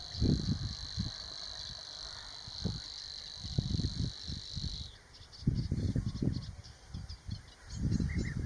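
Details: Nominate Savi's warbler singing at Vadu, Dobrogea, Romania, in May: a continuous high reeling buzz that holds for about five seconds, then stops abruptly, over heavy low wind rumble with faint ticking afterwards.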